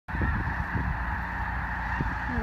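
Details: Snow geese, a huge flock swirling during a migration stopover at Columbus, Nebraska, call together in a dense, continuous chorus of overlapping honks, with low rumbling wind or handling noise underneath.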